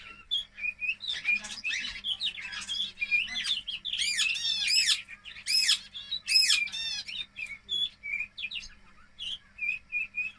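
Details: Young domestic canary, two months old, that has just started to sing after training with MP3 recordings: varied high whistles, rolling trills and quick repeated chirp phrases, with short pauses between phrases and a faint steady hum underneath.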